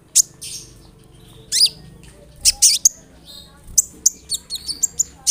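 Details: Olive-backed sunbird (kolibri ninja) sounds played to prompt other sunbirds to reply: scattered, thin, very high chirps and short downslurred squeaks with pauses, ending in a quicker run of sharp notes.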